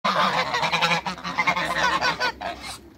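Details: Two male and one female Toulouse geese in a backyard, calling almost without pause: dense, nasal, overlapping honks with harsh harmonic buzz, a few higher squeaky notes mixed in, and a brief lull near the end.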